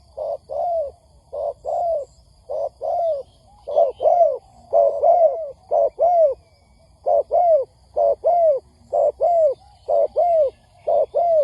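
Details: Lure recording of spotted doves for trapping: a long run of paired coos, a quick note then a drawn-out descending one, repeated close to once a second.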